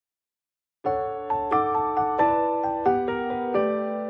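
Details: After a short silence, a bright chiming mallet-percussion melody starts, with bell-like notes struck about every half second and no animal sounds.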